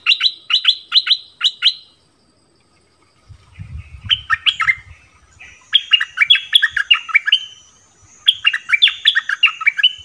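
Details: Orange-bellied flowerpecker song used to lure wild birds and train young birds: a run of four high, clipped tsip notes, then several rapid chattering phrases of sharp, dropping chirps, with brief low rumbling in the middle.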